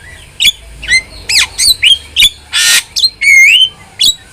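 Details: Chatty starling song meant to tutor and spur caged birds into singing. It gives a mix of sharp squawks and rising or wavering whistles, with one broad rasping burst partway through.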